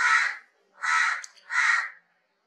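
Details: Three loud, rasping caws from a crow, each about half a second long and evenly spaced in quick succession, with no other sounds.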